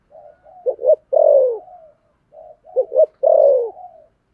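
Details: A spotted dove gives thổ sấm style hurried coos: two phrases, each opening with soft low notes, then a quick double stutter and a drawn-out falling coo, separated by a short silence.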